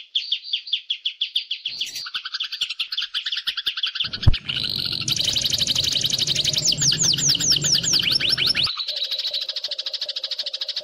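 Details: White-rumped shama master song from a young forest-caught bird, meant to teach mimicked phrases: sharp repeated chips, sweeping whistled notes and rattling trills, one loud thump, and a low sustained tone near the end.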